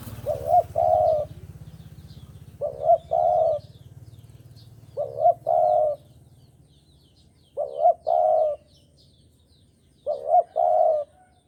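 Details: Spotted dove from Java cooing as a lure for bird trapping: a short rising note then a longer hollow coo, the phrase repeated about every two and a half seconds, five times, with faint low hum early on.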